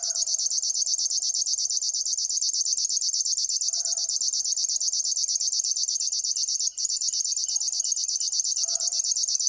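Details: Steady, high buzzing pulses of a River warbler repeated without break apart from one brief dropout, accompanied by intermittent soft lower calls from another bird.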